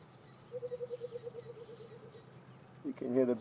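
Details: Burchell's Coucal, the Rain Bird, calling near water at Djuma and Arathusa game reserves on an afternoon safari drive, 18 January 2015: about fifteen quick, hollow, evenly pitched notes in a bubbling run, then a man begins speaking.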